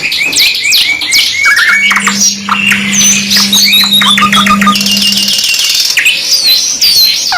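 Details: Canary song from a two-in-one tutor recording: dense, fast trills and whistled notes, many rising and falling slurs, and several singers overlapping, with a steady low electrical hum underneath for several seconds.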